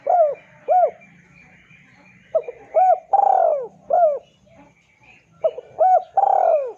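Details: Spotted dove lure calling meant to bring a rival to call back: hooked, rising-then-falling coos in groups of two or three, each group ending in a longer drawn coo, repeated about every three seconds, with faint low hum.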